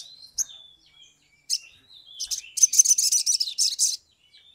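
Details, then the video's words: Lure recording of a Sumatran leafbird in agitated, energetic song. A long thin whistle and sharp chip notes lead into a sustained run of rapid, scratchy, high-pitched trilled notes lasting over a second. "SOGON GACOR EMOSI | pancingan sogok ontong atau SOGON biar cepat bunyi, suara asli"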